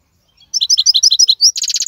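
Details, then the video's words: Wild-caught European goldfinch, or maqnin, recorded in 2022. About a dozen rapid, bright twittering notes run into a rising whistle, then end in a dry, fast rattle. "اقوى مقنين خلوي - هذا الحسون الاقوى في 2022"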